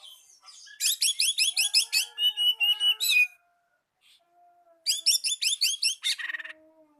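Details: Oriental magpie-robin song used to provoke a rival: rapid bursts of repeated high, sharp, chattering notes in two runs separated by a short gap, with faint lower whistles between.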